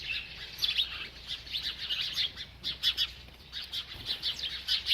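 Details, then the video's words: Feeding bird chirping in quick, high, twittering phrases that follow one another closely, about every second, with no other clear sounds. "This Happy Bird Won’t Stop Eating and Chirping"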